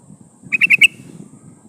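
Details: Female sooty-headed bulbul calling a male, used as a decoy to lure wild birds: a quick burst of four sharp chattering notes near one pitch, under a faint steady high hiss.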